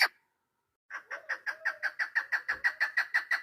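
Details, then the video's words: Hunting-decoy female chukar partridge, 3 May 2025: one short note, a pause, then a run of about sixteen rapid, rough chuk notes that grow louder, with a faint thin whistle and a dull thump in the background. "Овози модакабк // Модакабки шикори // Садои модкабк // Keklik sesi mada shikari"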